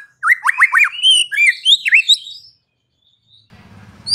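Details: White-rumped shama song meant to rouse other shamas into singing: a rapid burst of varied whistled and slurred notes rising and falling, then a short pause and low rumbling noise.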